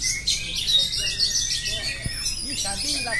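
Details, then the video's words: Oriental magpie-robin in full nonstop song: high, dense whistles and trills packed closely, a sharp click near the middle, and soft lower arched notes toward the end. "kacer phonix ngerol abis"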